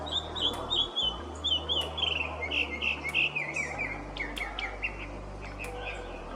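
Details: Northern Mockingbird, a Florida backyard visitor, singing a rapid series of bright, high chirps and whistled phrases, varied and repeated in quick bursts, over a low steady hum.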